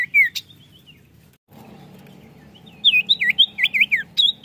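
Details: Common iora song used as a lure for caged birds: a clear whistle, a pause, then a fast run of looping, warbled notes.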